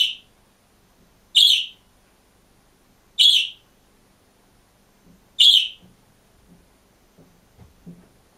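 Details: Budgerigar alone in its cage: four clipped, high, buzzy chirps about two seconds apart, followed by soft low tapping and rustling sounds.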